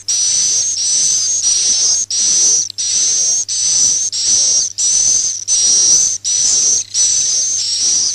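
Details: Lure call of swiftlets roosting, played to bring them to nest houses: steady train of loud, high hissing buzzes with a whistled overtone, about eleven bursts in eight seconds, divided by brief gaps, faint low hum beneath.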